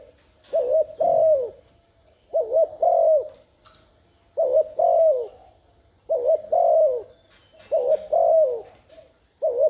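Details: Spotted dove cooing to stir up a decoy bird: about six low mellow phrases, each a short doubled coo then a longer falling coo, repeated roughly every two seconds in a quiet setting.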